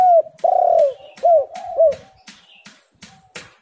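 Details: Spotted dove recorded as a lure to make reluctant doves call: a soft coo followed by four loud, hooked coo notes in quick succession, then fading quieter notes with sharp clicks in between.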